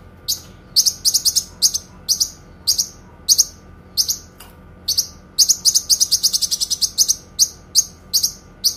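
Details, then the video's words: A Kinoi sings long, clear 'tembakan' bursts used for training songbirds: a lively stream of crisp high chirps, singly and in quick clusters, with a fast run of rapid notes in the middle. "TEMBAKAN PANJANG, SUARA JERNIH BURUNG KINOI"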